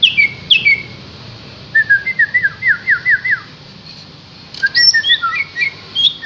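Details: Energetic green leafbird song from Yogyakarta: a few sharp high notes, then a run of six rapidly repeated slurred whistles, a pause, and a jumble of varied twittering whistles and chips at the end.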